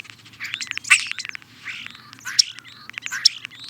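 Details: European starling singing a jumbled medley of squeaky chirps, slurred whistles and clicking notes, with a faint low hum underneath.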